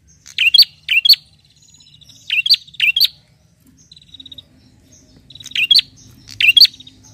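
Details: A bar-winged prinia calls vigorously toward a rival with paired, piercing chirps. Quiet gaps separate the pairs, and a level buzzy ticking trill runs between groups of notes.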